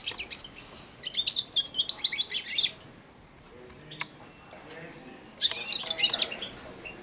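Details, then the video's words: Hand-tame European goldfinch, about four months old, singing subsong inside its cage while coming to eat from the hand: a rapid burst of thin twittering notes, a pause of over two seconds, then another twittering burst. "καρδερινούλα κελαηδάει δίπλα στο χέρι αλλά και πάνω σε αυτό!"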